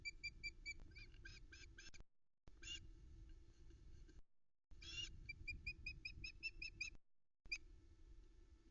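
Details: Female osprey calling for fish at a nest in the Arkaig Community Forest, captured by nest cam on 13 July 2020. Rows of thin, high repeated chirps over steady low rumbling background noise.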